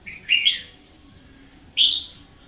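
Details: Red-whiskered bulbul used as a decoy, singing hard in 2021: two short, rich, slurred whistled phrases about one and a half seconds apart, each sweeping up then dropping, with little else audible.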